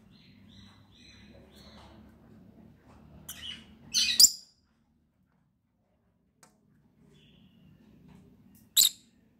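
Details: Pet lovebirds kept indoors, playing. Faint thin whistled notes open the recording, then a cluster of shrill chirps comes about halfway through and a single sharp chirp near the end, over a low background hum.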